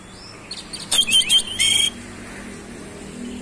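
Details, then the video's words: Oriental magpie-robin singing fast-rolling, isian-laden song: a brief loud cluster of scratchy notes and a steady high whistle held about a second, then quiet with faint background hiss. "KACER SUPER GACOR ROLL SPEED BONGKAR ISIAN"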